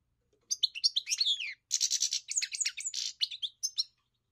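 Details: Goldfinch pouring out a dense, rapid twittering song with buzzy, rasping passages and slurred chirps, in two long phrases; no other sounds.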